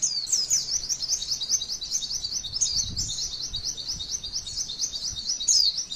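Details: High, rapid, rolling trill from a female white-eye, a tutor track for prompting song in other birds; unbroken twittering with sharper squeals at the start and near the end.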